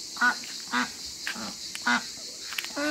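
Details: African geese, domestic waterbirds kept in a backyard, giving harsh nasal honks: four short calls spaced roughly half a second to a second apart, then a longer drawn-out honk at the end, over steady background hiss.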